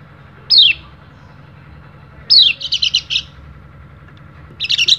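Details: Oriental white-eye used as a lure for reluctant singers: a descending whistle, then another followed by a burst of short chirps, and a final chattering run starting, over low steady hum.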